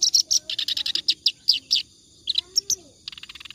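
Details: Clamorous reed warbler singing continuously as tutor material: loud grating chattering notes, then a brief pause with a few sharp calls, ending in a fast, softer trill of ticks.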